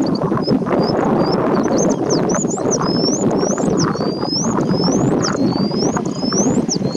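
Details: An Indian bush lark in display gives thin, high, upslurred whistles, repeated several times a second in a steady stream, over heavy low rumbling wind or traffic noise.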